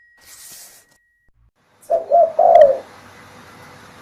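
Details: Spotted dove calling loudly, recorded for use as a lure to draw other doves; after a quiet opening, a single low cooing phrase of a stuttered double note and a longer falling coo, then near silence.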